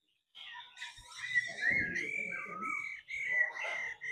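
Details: Laughingthrush singing as a female stimulates a male: a continuous stream of clear whistled, slurred notes, with some rougher noise underneath.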